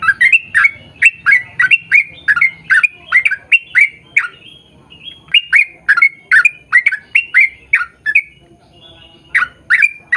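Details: Energetic 'ropel panjang' song of a yellow-vented bulbul, or trucukan, played to draw the same species into singing: a long run of rapid, bubbly warbled notes, briefly pausing before resuming at full pace.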